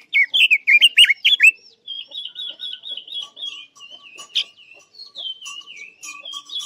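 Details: Trap-lure song of a Chinese hwamei: rapid, sharply sweeping loud whistles open the phrase, followed by a long rippling warble and softer descending whistled notes.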